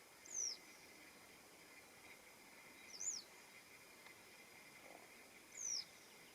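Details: Western yellow wagtail (Motacilla flava) in the morning on 21 June giving three thin, high, down-slurred tsweep calls, roughly every two and a half seconds, over a faint steady background hiss and drone.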